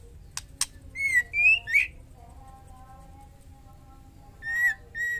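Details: Female white-rumped shama calling to a male in breeding condition: two sharp clicks, then a rising three-note whistled phrase, a pause, and two shorter level whistles to close.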